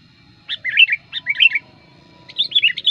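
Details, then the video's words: Lure song of a sooty-headed bulbul, aimed at attracting wild birds and tutoring: two quick bubbly whistled phrases, a pause, then a longer cheerful run of warbling notes. "suara pikat burung kutilang gacor ampuh"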